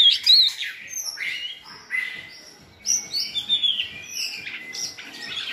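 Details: Good-voiced white-rumped shamas sing to train a selected shama in varied song. Loud, ringing whistles with falling slurs alternate with softer warbled stretches and brief high flourishes.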